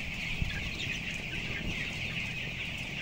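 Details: Broiler chickens, 14 days old and about 525 grams, in a closed house holding 11,000 birds on the upper floor, a dense continuous chorus of high peeping chick calls over steady low fan hum.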